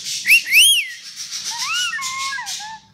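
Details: Pet talking rainbow lorikeet, indoors, mimicking sneezes and speech. Clear whistled notes, first sharply rising then falling arcs, followed by smoother sliding whistles that drop lower, with soft hissy breath sounds.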